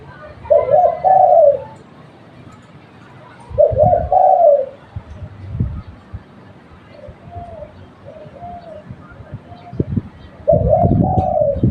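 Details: Local spotted dove used as a lure bird, repeating a low, hollow coo phrase three times. Each is a stuttered start and a longer, gently falling note. Quieter short coos and dull thuds sound between the phrases.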